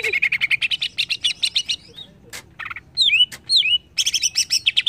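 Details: Greater green leafbird stirred up by a lure, pouring out rapid chattering trills, a brief pause, then sweeping slurred whistles and another fast burst of high notes.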